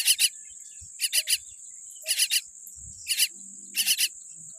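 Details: Young common myna chick, reportedly born with a weak beak, gives harsh, raspy chirps in quick clusters of two or three, about once a second, over a constant thin high-pitched whine.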